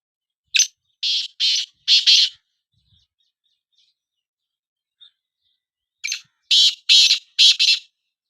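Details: Black francolin, one of two birds pitted in a calling match: a grating phrase of four to five buzzy notes, a quiet gap, then a second similar phrase repeated about two per second.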